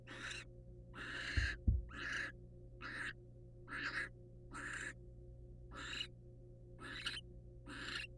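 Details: Rasping screech-hisses repeat steadily from wild barn owls in their nest box, the male having brought a mouse to the female; a couple of sharp knocks early on and a constant low hum.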